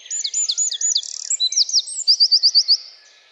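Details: A Eurasian wren sings a short, loud burst of looping high notes, a brief buzzy trill, then a clear run of rapid repeated notes before fading.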